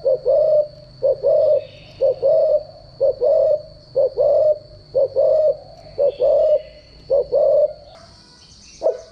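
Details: Decoy cooing of a spotted dove, played to train captive doves: a steady run of low two-part coos, short then drawn-out, roughly once per second, with a faint high whine and a brief noise burst near the end.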